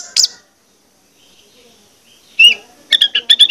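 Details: Lure recording of an orange-headed thrush, meant to stimulate other birds to sing. One high squeaky note, a long silence, then a clear whistle and a quick row of bright chirped notes.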